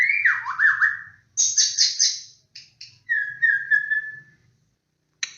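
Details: White-rumped shama singing as a lure recording: a wavering whistled phrase, a burst of harsh scratchy notes, then a long, level clear whistle, with short clicks at the end and faint low hum beneath.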